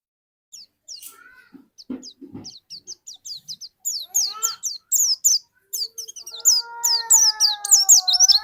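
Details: White-eye song serving as a lure to make another bird sing, from Indonesia. Soft scattered high chirps gradually build into loud, fast twittering, with a steady lower drawn-out tone running underneath near the end.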